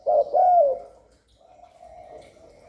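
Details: A spotted dove coos to attract wild doves and stimulate newly kept birds. A short clipped note leads into a longer hollow, downward-sliding coo. Quieter fading cooing follows.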